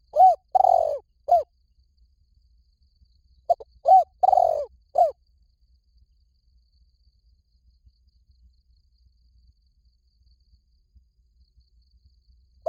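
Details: Two full cooing phrases from a spotted dove, about three seconds apart, used as a lure for decoy hunting. Each has a short note, arched coos and a longer rolled coo. Long silence follows, with a faint note at the end.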